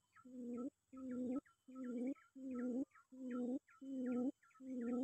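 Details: A quail calling out to an opponent gives seven low, buzzy hoots in a steady rhythm, each preceded by small higher chirps, over a faint background hum.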